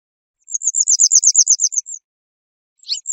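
Western yellow wagtail: a quick, even run of about a dozen thin, high chirping notes over a second and a half, then a short sharp note after a pause.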